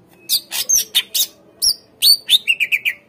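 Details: Greater green leafbird lure song for untrained caged birds: loud harsh chips and high whistles delivered in quick irregular bursts, closing with four rapid lower whistled notes.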